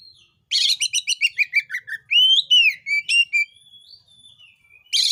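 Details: Oriental magpie-robin, a vigorous 'gacor' singer, in song meant to provoke other magpie-robins into singing: a fast run of harsh buzzy notes, then loud rising and falling whistles and short chirps, with the harsh burst returning at the end.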